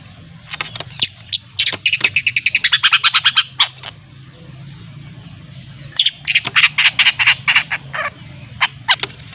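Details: Long-tailed shrike from Lampung, a caged young bird learning to sing: two bursts of fast, harsh chattering notes repeated about three times a second, with a quiet gap between them and a low steady hum underneath.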